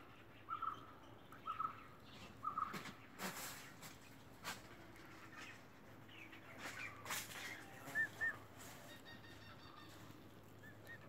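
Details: Emu chick on its first day after hatching, uttering brief clear whistled peeps, three spaced about a second apart, then a slightly higher pair later, between loud rustling and knocking sounds.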